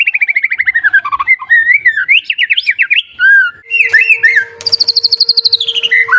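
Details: White-rumped shama song used to coax a quiet bird into singing: quick descending trill, varied warbled whistles, then a high rapid trill stepping down, with a steady low hum in the background.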